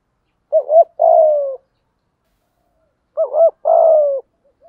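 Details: Two thúc gù phrases from a lure spotted dove, about two and a half seconds apart. Each phrase has a quick double-humped low note followed by a drawn-out, downward-sliding coo.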